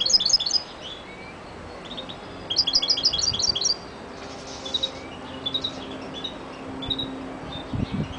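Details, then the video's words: European goldfinch (Carduelis carduelis) gives quick, tinkling, high twittered phrases in two bright bursts, then softer scattered chirps over a faint background hum. "Καρδερινα carduelis carduelis"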